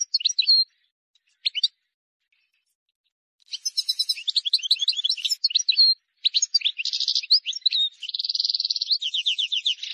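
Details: Wild European goldfinch singing a flawless song meant for young birds to learn from. Bright, high twittering phrases with short buzzy trills and rapid tinkling notes come in bursts. A fast, churring trill sounds near the end.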